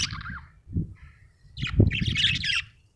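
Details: Happy budgerigar giving short scratchy chirps followed by a longer buzzy, warbling chatter, over low rumbling background noise.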